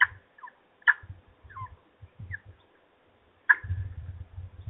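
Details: Peregrine falcons at their nest in Trzebież during an evening feeding, recorded 17-05-21: short harsh squealing notes, some in quick pairs, with a louder cry at the start and another near the end, over low rumbling and thumping noises.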